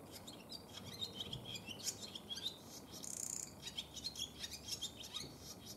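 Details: Courting male barn swallow, wintering in a cold region, leading a female to the nest in February 2020. Continuous quick twittering of high squeaky notes, with a rasping buzzy rattle in the middle, then more chatter.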